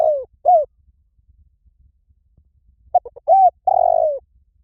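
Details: Spotted dove calling: loud, low mellow coos that slide slightly downward, two quick notes opening, then a pause before a cluster of short clipped notes and longer drawn-out coos; a faint low background rumble.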